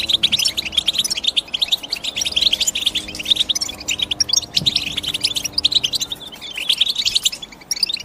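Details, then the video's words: European goldfinch twitter: fast, high, scratchy chirps in dense runs with short breaks, overlapping voices, and soft low steady tones faintly audible behind them. "The GOLDFINCH CHIRPING SOUND"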